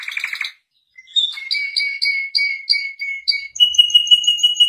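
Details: Shant canary song: a buzzy opening burst, a short silence, then a rolling run of clear whistled notes, followed by a faster, higher trill that rises in pitch toward the end.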